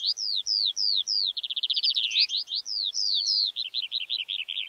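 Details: Skylark pouring out high slurred whistles, then a fast buzzy trill, then more falling notes in quick succession, all bright and unbroken against silence.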